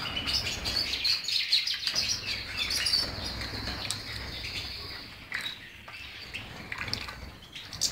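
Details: European goldfinch giving a continuous twittering song of high, rapid chirps and buzzy notes, steady in pace, with a noisy low background hum throughout.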